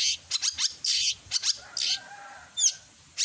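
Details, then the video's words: Long-tailed shrike with a full mimicry repertoire gives dense, grating, hissy bursts. A soft, steady whistle runs beneath, and a thin high squeak breaks through near the end. "Masteran burung CENDET gacor isian lengkap"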